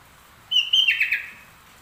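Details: Sooty-headed bulbul with a trucuk-learned song, singing actively: a single clear phrase opening on a level whistle, then stepping down into a fast, bubbling run of rolling notes that fades out.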